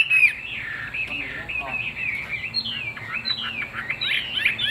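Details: Chinese hwamei, a captive bird with a fig-leaf-shaped tail praised for singing well, delivering a rapid, varied run of loud whistled and warbled phrases with slurred notes leaping up and down, continuous throughout over faint background noise.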